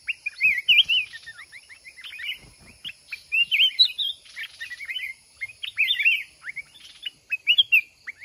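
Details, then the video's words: Trapped red-whiskered bulbul from the mountains duels with a decoy bird, pouring out busy, overlapping whistled and warbled phrases with rapid up-and-down notes throughout. "Chào mào núi bẫy đấu"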